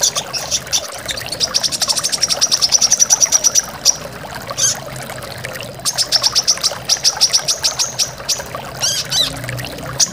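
A brown-throated sunbird sings high, rapid trills and sharp chips in bursts of two to three seconds, over a steady rush of falling water.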